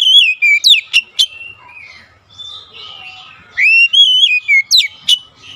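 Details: Magpie-robin lure song for reluctant birds: rich whistled phrases with quick slurred notes and sharp chips, a quiet softer warbling middle, then the whistled phrase repeats.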